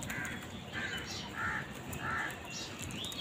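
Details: Crows competing for food: a series of short, hoarse caws, roughly four in three seconds, fairly faint over a steady rushing background noise with scattered clicks.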